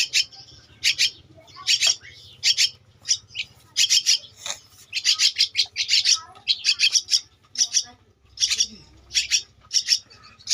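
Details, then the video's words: Two-week-old Javan myna chick begging while being fed: rapid harsh, hissing, buzzy bursts in quick irregular runs, several per second, with brief gaps between run groups. "Anakan Burung Jalak Kebo-_Umur 2 minggu"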